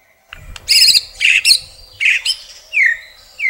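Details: White-rumped shama song, murai rich-fill style: loud harsh buzzy bursts alternating with short chattering notes, then two clear downslurred whistles, over a faint low hum.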